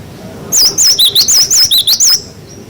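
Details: Glatik batu, the cinereous tit, in clear 'wucit wucit' song meant for training young birds: roughly nine piercing, wavering high whistles delivered in a rapid burst lasting under two seconds.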